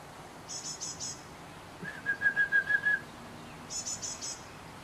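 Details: Great tit (Parus major): a short burst of very high, thin notes, then a run of seven evenly spaced, clear whistled notes at steady pitch, followed by another burst of high, thin notes over quiet background.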